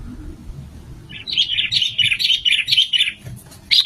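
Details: Sooty-headed bulbul calling as a trapping lure: after a quiet second, a rapid, bubbly chatter of repeated notes runs for about two seconds, then a fresh burst begins.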